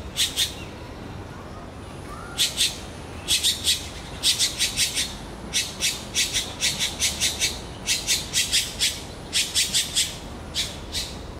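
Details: Red-billed blue magpie calling nonstop after seeing a big turtle, rapid runs of harsh, rasping notes in groups of three to five, with brief pauses, over constant background noise.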